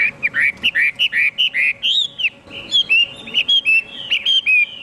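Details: Chinese hwamei delivering a steady series of about a dozen short, slurred, bright whistles, each looping up and down, evenly spaced and loud.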